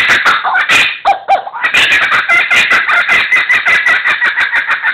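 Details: A laughing kookaburra from a wildlife zoo, recorded in a television studio green room, gives a loud, harsh chorus of rapid chuckling notes rising into a steady, fast-pulsing cackle with no pause throughout.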